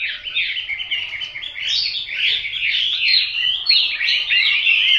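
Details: Hwamei in full song: a dense, rapid stream of varied whistles and warbles, growing louder through the clip with scarcely a break.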